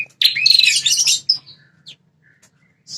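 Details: Prenjak kepala merah, a prinia, its call meant to draw an aggressive reply from territorial wild males; one brief harsh, rapid chattering burst lasting about one second, followed by faint scattered chirps.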